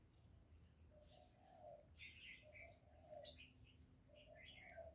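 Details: Spotted dove, 'giọng thổ' voice, coos to excite males: groups of low hooting notes, each phrase ending in a stressed coo, with lively chirps of other birds over a low hum.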